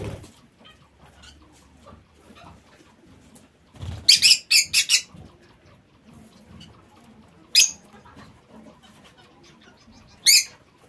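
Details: Aviary lovebirds break a quiet background with a quick run of five shrill, squeaky chirps, followed by two single sharp squeaks spaced a few seconds apart.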